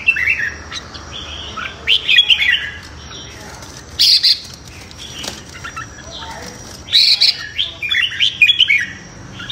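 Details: Red-whiskered bulbul morning competitive song for voice training and rousing newly caught birds; clusters of bright chirpy warbles alternate with sharp broadband clatters, possibly wing or cage sounds, and quieter gaps.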